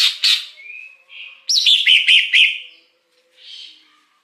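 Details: Wild greater green leafbird with a lure song. Two harsh notes lead into a short whistle, then a quick string of rising-and-falling whistled notes, ending in a faint, soft buzz.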